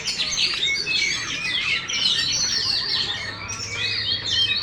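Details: Caged Oriental magpie-robin singing a dense, rich medley of rapid high chirps, squeaky notes and short slurred whistles, steady in volume, over a faint low hum.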